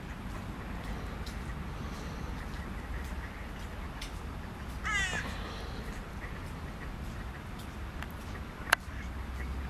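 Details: A displaying common goldeneye on 21 February 2021 gives a single short, harsh, nasal courtship call against steady low wind or water rumble, with a sharp click near the end.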